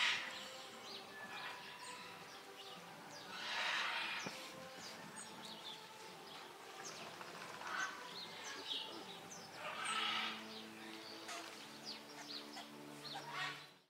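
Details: Red-breasted geese, a rare winter guest in Central Europe among flocks of other goose species, give high, squeaky yelps in bursts every few seconds, with a steady hubbub of other geese behind.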